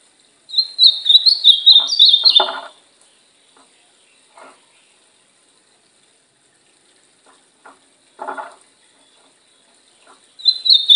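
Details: Ultramarine grosbeak in brown plumage, a kept bird being trained, delivers a quick high warbled phrase, followed by scattered clatter and knocking noises, then the start of another song burst.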